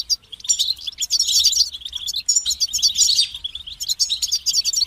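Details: Dense European goldfinch twittering, rapid jingling notes and buzzy trills tumbling together in energetic bursts with only tiny gaps.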